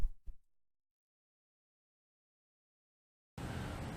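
Two brief low thumps, then nearly three seconds of silence before a burst of broadband rumbling noise like traffic or wind; no animal is heard.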